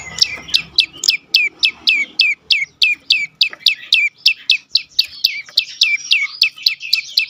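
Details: Prenjak lumut prinia, song for prompting quiet birds to sing: a brisk, continuous train of high chirps, each dropping steeply, about four per second, with a faint low rumble at the start.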